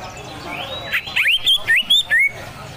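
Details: Greater green leafbird in harsh besetan song with a water-trickle backdrop: a tight burst of six or seven loud twisting, warbled whistles packed into about one and a half seconds, rising and falling sharply.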